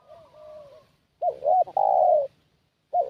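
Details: ['Soft distant coo, then a loud phrase from the lure spotted dove: two brief hooked coos and a long level coo trailing down, with the next phrase just starting.']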